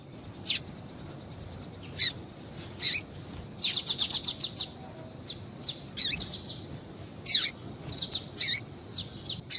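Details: Female double-collared seedeater calling a lot to stir a male to sing: scattered high, clipped chips, then a dense burst of quick notes around four seconds and further irregular clusters, with faint low hiss throughout.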